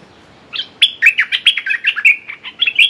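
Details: Red-whiskered bulbul used as a decoy, calling to lure a territorial wild bird: a quick run of bright, liquid chirped notes, some sliding up and down, packed closely for about two seconds.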